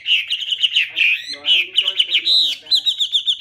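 A Chinese hwamei sings a loud, rich run of varied whistled phrases, sliding and warbling, ending in quick repeated notes.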